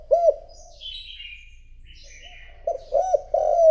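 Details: Decoy spotted dove calling to draw rival doves: one soft coo, a pause filled with thin high chirps from other birds, then a quick cluster of mellow coos ending in a longer note.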